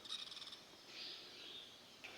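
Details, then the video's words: Grey-capped pygmy woodpecker near its nest hole on an April 9 morning, as a male chestnut-tailed starling tries to enter, gives a quick high chattering run of about ten sharp notes, then a softer buzzy note and a single chip. "The woodpecker is chirping nearby."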